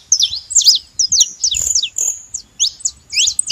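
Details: Canário-da-terra, the saffron finch, calling with sharp, high, downslurred chirps and quick twittered notes in uneven bursts about twice a second, a steady thin whistle-like tone running behind them.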